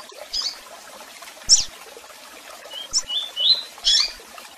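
Double-collared seedeater giving scattered high, thin chirps and short buzzy notes, a few per second in loose bursts, over a steady background hiss.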